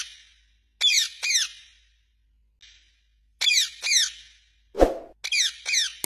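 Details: Parrot said to be talking in a sweet voice: short bursts of bright, harmonic squawks with falling, slurred notes, in pairs and small groups separated by silent gaps, and one soft low thump near the end.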